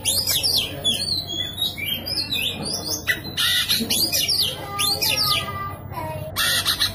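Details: Vigorous Oriental magpie-robin song used as a rival to trigger singing in a silent magpie-robin: fast chains of high whistles and loud harsh rasping squawks in repeated bursts, with a slurred falling whistle between.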